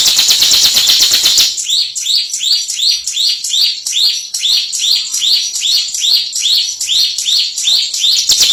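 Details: Bar-winged prinia, known as ciblek or prenjak, a contest winner: brief buzzy trill, then a long, even series of ringing hooked whistles, about three per second, steady for seven seconds.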